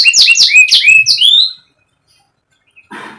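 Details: Canary song used as a tutor recording for young or non-singing canaries: a loud burst of fast sweeping chirps and trills lasting about one and a half seconds, then silence and a faint rustle.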